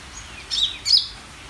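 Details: Vigorously singing greater green leafbird giving a pair of loud, piercing high chirps less than half a second apart, the second slightly longer and more warbled, against a quiet background.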